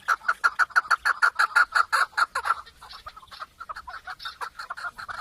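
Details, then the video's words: Chukar partridge delivering a loud, regular run of chuk notes, roughly three per second, that loosens into softer, irregular clucking chatter. "Keklik en güzel keklik sesi"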